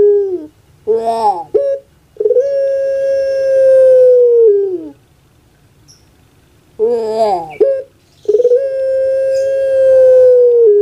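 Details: Puter pelung dove, a prized Javanese pet bird, delivering its anggungan. A short gurgling, wavering phrase leads into a long level drawn-out tone, then silence, and the whole sequence repeats once.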